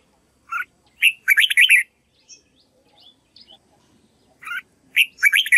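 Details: Red-whiskered bulbul singing its practiced song to teach white-cheeked birds. Two loud, bright warbled phrases of rapid, slurred notes, each about a second long, separated by soft faint chips.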